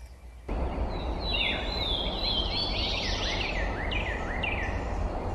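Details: Swainson's thrush singing in the wild: a run of fluty whistled notes climbing in quick rising steps, phrase following phrase, over a loud steady rushing background noise.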